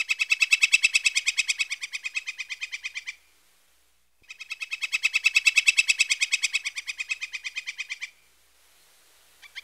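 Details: Northern Flicker (Colaptes auratus), a Pacific Northwest/Oregon backyard bird, gives two long, loud rattling series of quick, even notes, about ten a second, each some three seconds long with a short pause between.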